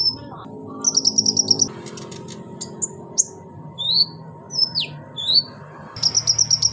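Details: Female pygmy cupwing calling a male: rapid trills of high pulsed notes at the start and end, with scattered thin slurred whistles between them, some rising and some falling, over a low continuous hum.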